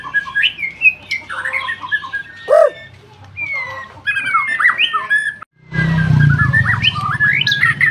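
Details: Singing white-rumped shama: sweet whistled phrases, sliding notes and clicks, a brief low nasal call, then fresh whistles over a sudden low rumbling hum.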